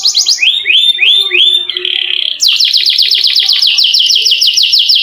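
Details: Canary in long rolling song to encourage lazy canaries, with upward-hooked whistles, a steady rolled tone, then a fast repeated series of sharp descending notes.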